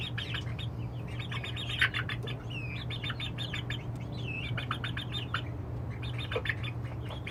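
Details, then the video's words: Chicks on their perches at night, the first night all of them got up by themselves, chirping a busy overlapping stream of high arched peeps, a few sliding notes, some wing flutters, and a constant low electrical hum. "Chick sounds"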